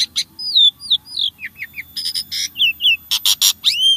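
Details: Lively starling song for prompting caged birds to sing. Falling whistles and chirps lead to buzzy chords, then a run of harsh loud bursts and a final arching whistle.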